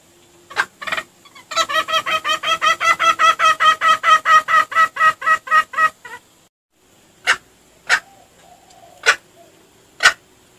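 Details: Red junglefowl used as a lure: a few sharp bursts, then a long run of rapid, harmonic clucking notes about five per second for four seconds, followed by scattered single sharp bursts.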